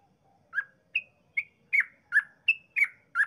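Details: Short burst of yellow-vented bulbul 'ropel' song for provoking other bulbuls: eight crisp slurred chirps, high and low in turn, spaced under half a second apart.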